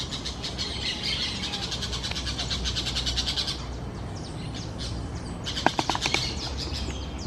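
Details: Forest parakeets, presented as the woodland's most tuneful, giving rapid strings of sharp, repeated chirps that run for several seconds, then a quieter gap and a short burst of clicking notes, with a constant low hum underneath.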